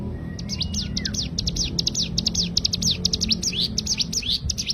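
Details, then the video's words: Cigun bird delivering rapid 'tembakan' song for songbird tutoring: a brief thin whistle, then a fast, steady barrage of sharp high chirps and slurred notes filling the rest, low rumble beneath. "Tembakan burung cigun untuk masteran terbaik"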